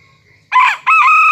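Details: Serama chicken crowing in the morning while out of its cage on a hand; a sudden loud harmonic burst followed by a sustained level note, cut short.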